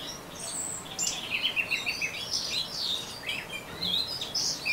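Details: Orange-headed thrush giving ngeriwik twittering, a dense chatter of high squeaky notes and short rising and falling slurs, swelling in the middle and again at the close.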